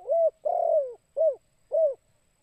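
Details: Lure call of a spotted dove, kuk 2 type: a short coo, a long throaty downward-sliding coo and two brief rounded coos at an even pace, loud and clear against a quiet background.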